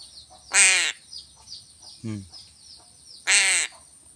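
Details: Two loud, hoarse caws about three seconds apart from a crow taking fish, with a shorter, lower croak between them and faint high chirping in the background.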